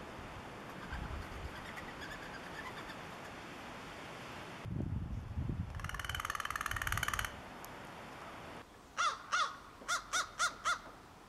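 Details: Young crows, fledglings to almost juveniles learning crow language and very vocal, give a drawn-out, buzzy, rasping call, then a quick run of five harsh caws, each a fraction of a second apart, over steady hiss.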